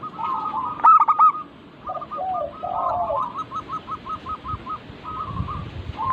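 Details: Zebra dove lure chorus of local birds: a loud stuttered coo burst near one second, then a long, even run of about ten quick, clipped coos and trailing softer phrases.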